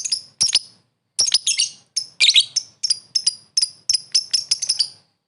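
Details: Lovebird calling a rival with sharp, high, harsh chirps in short irregular clusters, some doubled and screechy, with brief pauses between groups.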